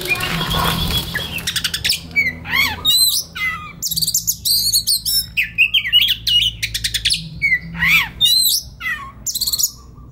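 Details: White-rumped shama singing in a relaxed, varied flow suited to training young forest-caught birds: clear whistles, sweeping rising and falling notes and dense buzzy chatter bursts, with short pauses between phrases and faint low hum beneath.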